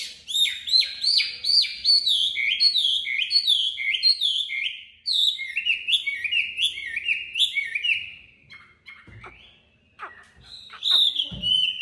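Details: Tame Chinese hwamei from Hanoi, Vietnam, in competitive singing: fast series of loud, clear whistled notes sliding downward, repeated in quick runs, with a few sharp notes near the end.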